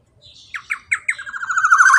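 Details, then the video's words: Black-naped oriole with the long roll known as 'ropel panjang', used to get a silent bird singing: a soft note, then spaced sharp descending notes speeding into a rising, loud, grating trill that continues to the end. "KEPODANG ROPEEELL PANJANG COCOk BUAT MASTERAN BURUNG MACET BUNYI"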